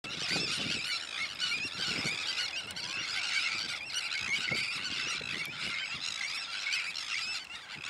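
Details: Sandwich terns giving a dense, continuous chorus of harsh, grating calls, many birds overlapping with no gaps, plus low thumps and rumbling noise underneath.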